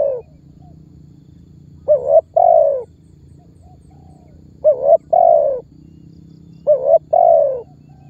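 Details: Spotted dove lure call used to coax other birds into calling; three phrases roughly every two and a half seconds, each a rising double note followed by a long downward-sliding coo.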